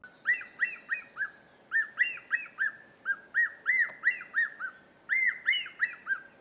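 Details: Ornate hawk-eagle song, which serves to defend a breeding territory or attract a partner: clear, ringing whistled notes, each arching up and down, delivered in quick clusters of three to five with short pauses between groups, over a quiet background.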